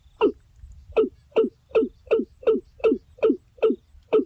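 A Watercock gives a steady series of hollow, low, gulping notes, about two and a half per second, against a quiet background.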